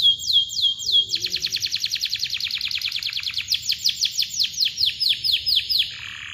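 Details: Canary in full song, a lively gacor bird used to prompt silent birds to sing: a few falling whistled notes, then a long close-packed roll of rapid downward-sweeping chirps, four or five a second, ending in longer swept notes.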